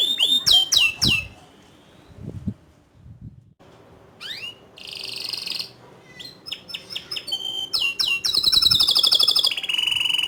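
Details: Canary in full singing form, delivering rolling trills and piercing high shots: fast chirps and downward sweeps, a quieter low-toned pause, then buzzy high rolls building to a dense trill near the end.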